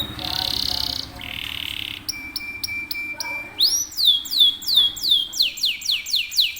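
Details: Canary (kenari) rolling song: after a noisy buzzing start, clipped repeated whistles over a steady tone lead into loud arching whistled notes repeated about every half second.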